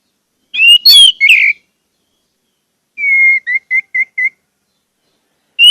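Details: Orange-headed thrush song, played to stimulate caged birds into singing: a brief whistled, slurred phrase, then a steady whistle followed by four short clipped notes, with another phrase starting at the end.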